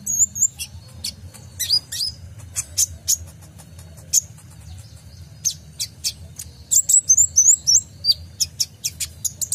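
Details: Kolibri ninja sunbird, full song for training caged songbirds: rapid, very high chips and sweeping twittered phrases delivered in irregular bursts about three to four a second, over a faint low rumble.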